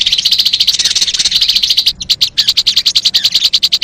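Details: Crimson sunbird, played to attract wild birds: a very fast, even series of high ticking notes, about three and a half per second, with a brief break midway before the rapid chips resume.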